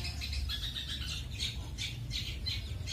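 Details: Long-tailed shrike, a kept songbird, sings training material of the styles called roll speed and roll tembak: harsh, squawking bursts repeated about every half second, over a steady low hum.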